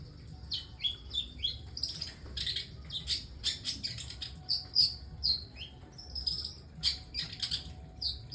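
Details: Long-tailed shrike giving strange song material, a busy run of sharp high chirps and brief slurred whistles in uneven bursts, with a faint low hum underneath.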